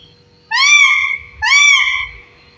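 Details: A 15-year-old parrot gives two drawn-out, strongly harmonic voiced notes, each gently rising then falling and about half a second long, spaced roughly a second apart, with faint low rumbling in a quiet indoor setting.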